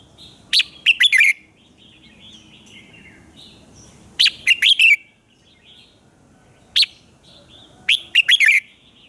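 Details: Red-whiskered bulbul, morning fired-up song: repeated phrases of crisp, bubbling whistled notes, three or four per burst, about sixteen bursts a minute, slightly irregular spacing, over soft background noise.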